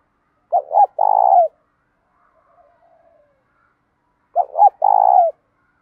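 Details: Spotted dove cooing, a bird kept for training and provoking other doves; two low cooing phrases about four seconds apart, each a pair of short notes then a longer rolling coo, with quiet gaps between.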